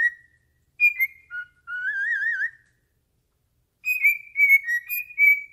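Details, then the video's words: Indoors, a pet cockatiel sings to its owner's foot. Clipped whistles lead into a long wavering trilled note, then silence, then a quick string of ringing whistles. "Funny Cockatiel Singing To my Foot"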